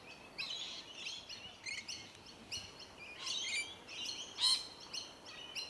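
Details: Flock of rainbow lorikeets eating tree violet berries, Melbourne, Australia, January 2021: busy harsh twittering and grating screeches overlapping, bursts growing louder toward the end with one sharp shrill squeal.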